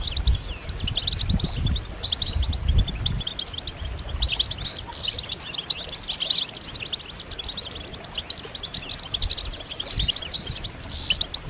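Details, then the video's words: Group of European goldfinches chirping together, mating and readiness calls meant to stimulate males to sing: dense, overlapping high twittering and tinkling notes running without pause, with low rumbling thumps in the background. "بتبتات جماعية رهيبة للحسون فعالة في تحفيز الحسون على التغريد والهيجان"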